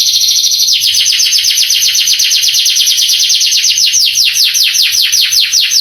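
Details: Canary song played to provoke young canaries into answering; a short buzzy opening followed by a long, rapid trill of falling notes at about two and a half per second, high and bright.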